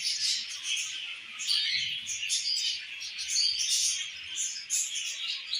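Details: Baby budgerigar being fed by its mother, a budgie: continuous busy high-pitched chattering and squeaky chirps, fairly loud throughout, with faint low rustling underneath.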